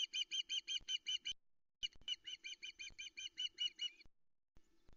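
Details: Waiting on the nest for her mate's fish delivery, a female Osprey at Loch Arkaig calls at 05.22 on 13 August 2020. Fast, even runs of high, clipped chirps, split by a brief pause.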